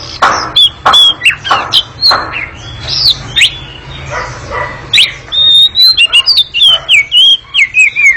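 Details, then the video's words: Oriental magpie-robin performing a long, lively ngekek song: opening with a series of rasping chatter bursts, then shifting to sustained bright whistles and warbled descending phrases near the end. "Kacer ngekek panjang sangat gesit dan berisik"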